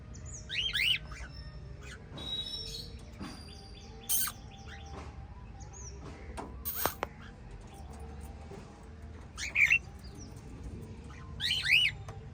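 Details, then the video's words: White lovebirds in a family of five: scattered harsh chirps at the start and end, separated by quieter stretches with sharp clicks, taps and faint higher twitters. "White Little LOVE Birds Chirping Sound"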